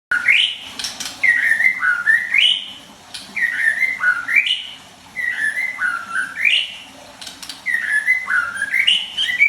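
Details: White-rumped shama (murai batu) singing: loud, clear whistled phrases that rise and fall, each ending in a sharp upward sweep, given in bursts about every two seconds with brief pauses between.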